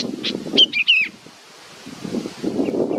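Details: Baby bird waiting for its mother: a few sharp chirps followed by two quick high whistled notes sliding downward, with low rustling and handling noise before and after.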